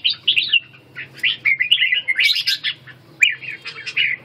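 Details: Red-whiskered bulbul (chào mào) during ché training, delivering rapid, lilting whistled phrases that tumble up and down in pitch, with short gaps between bursts and a soft low hum.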